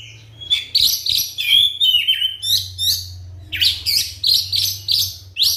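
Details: White-rumped shama performing a provoking song to get other shamas singing: continuous stream of whistled slurs and rapid chattering notes, several per second, over a persistent low hum.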